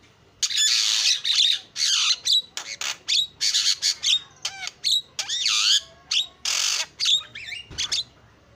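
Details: Energetic starling lure song of grating, noisy bursts alternating with looping whistled slides and quick chirps, a continuous varied medley over about eight seconds.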